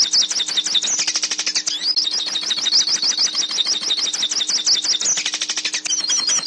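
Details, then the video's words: Hooded siskin singing for song teaching in captivity: a long, dense, high twittering warble of rapid chirps and trilled runs, nearly continuous, with a low electrical hum in the background. "Canto Pintassilgo - Canto Para Ensinar Seu Pintassilgo Ouça o Canto Pintassilgo"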